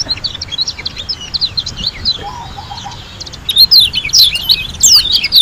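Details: Lombok white-eye singing energetically: thin high twitters at first, then louder, rapid bursts of sharp slurred chirps in the second half, with a brief low warble in the middle.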